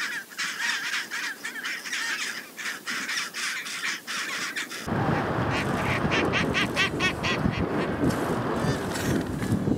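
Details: Chinstrap penguins nesting with chicks on Georges Point, north end of Ronge Island, Antarctica, on an exposed windswept site; rapid harsh repeated braying calls in the first half, then loud wind roar dominates with calls continuing underneath.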